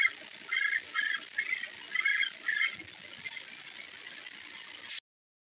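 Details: Red-cockaded woodpecker nestlings in their nest cavity at Warren Prairie Natural Area in spring 2012, disturbed by a peeper camera, beg with harsh, raspy chattering bursts, about two a second, fading after three seconds into steady hiss.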